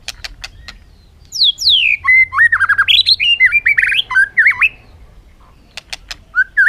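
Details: Rapid warbling bird song: descending high slurs turn into a fast tumble of twisting, wavering whistles, then pauses with sharp clicks and ends on a short rising note.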